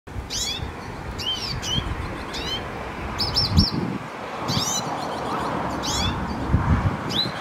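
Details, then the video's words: Hooded siskin singing: sweeping arched chirps repeated roughly every half-second to second, with a brief high buzzy trill midway, over a steady low rumble. "Cabecitanegra cantando"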